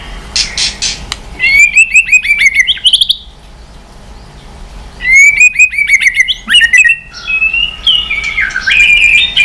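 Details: White-rumped shama singing dây yến style, switching voices with continuous tail flicking; loud whistled phrases of rapid ringing notes come in bursts separated by short pauses, ending in varied sliding whistles.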